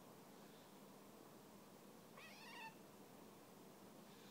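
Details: A Eurasian jay on a snowy branch in winter gives one short, cat-like mew, rising then dropping slightly, over a steady background hiss; it meows begging for another walnut, first softly, then annoyed.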